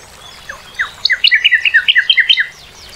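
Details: Northern cardinal giving a brisk, even series of about a dozen short, rich whistled notes, each slightly falling, after two softer introductory slurs.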